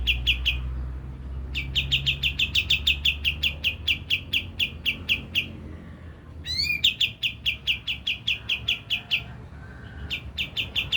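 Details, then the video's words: Javan grey-throated white-eye lure song meant to stir other birds: bursts of rapid, sharp chips separated by short gaps, with one steeply rising whistled note before a final run of chipping. "Pancingan kapas tembak langsung emosi dan bunyi"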